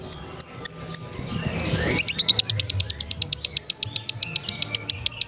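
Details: Lovebird singing in the ngekek konslet style: a steady run of rapid, sharp, high chattering notes, about seven a second, begins after two seconds of low hum and rustling.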